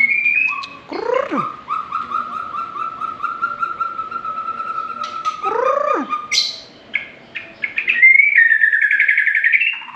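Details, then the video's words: White-rumped shama singing a varied, rich phrase: a high whistle, then a long string of quick, evenly repeated notes, sharp downward-sweeping slurs, and a closing burst of bright warbled notes. "BURUNG MURAI BATU"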